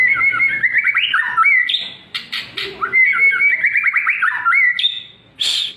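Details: White-rumped shama lure song for morning and evening: long, sustained whistled phrases with wavering, warbled passages, rising and falling, separated by brief pauses and a harsh note at the end.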